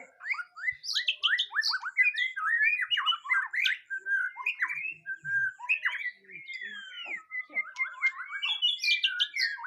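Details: Rich, varied song of a white-rumped shama: rapid chattering notes mixed with slurred rising and falling whistles, delivered continuously with brief gaps.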